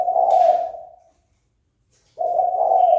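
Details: Kept spotted dove giving fight-provoking coos: one low, hoarse phrase fades out, and after a short silence another begins and continues to the end.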